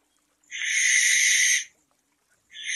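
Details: Single drawn-out rasping screech from a barn owl at night, roughly one second long and bright and hissy, followed after a short silence by the start of another.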